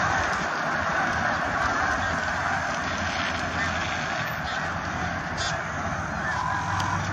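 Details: Snow geese passing in flight, heard as a constant blended din of many honking voices. A few brief higher squeaks rise above the mass near the end, and a low rumble sits underneath.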